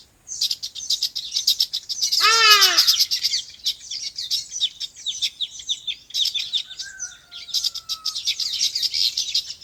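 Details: Birds chirping on a farm in their natural habitat: dense high twittering throughout, with one loud harsh call carrying many stacked harmonics near two seconds and a thin steady tone later.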